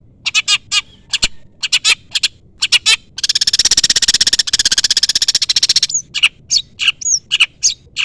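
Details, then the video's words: Long-tailed shrike calling to lure a rival: harsh broadband chattering notes in short bursts, then a long rapid buzzing rattle lasting nearly three seconds, followed by scattered harsh notes and thin whistled slurs. "pancingan cendet gacor full isian CUITAN MEMANGGIL LAWAN Ini ahlinya bikin burung cendet Nyaut"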